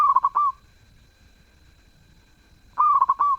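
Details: Melodious zebra dove song. A stuttering coo phrase of quick repeated beats ending in a sustained note, then a pause of over two seconds before the next phrase, which has a rising start, a rapid pulsed middle and a drawn-out finish.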